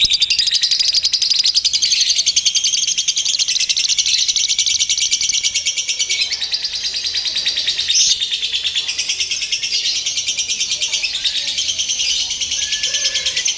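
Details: Lovebird song in a simulated singing-competition setting used to train the birds' mental steadiness: dense, unbroken high-pitched chattering trill, rapidly pulsing and sustained throughout with slight shifts in intensity.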